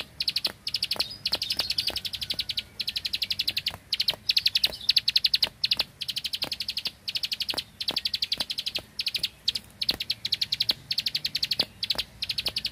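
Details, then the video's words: Bar-winged prinia from the rice fields singing 'bren' style: long series of machine-gun-fast high clicks in bursts about a second long, separated by short pauses, with isolated sharp ticks between. "Prenjak Klik Klik Burung Sawah Gacor Tembakan Bren Keteran"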